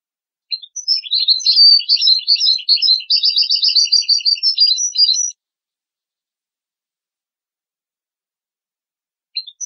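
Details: European goldfinch singing on a clean recording for teaching young goldfinches and hybrids: nearly five seconds of bubbling, fast, high-pitched twittering with ringing notes, then silence and a brief final chip.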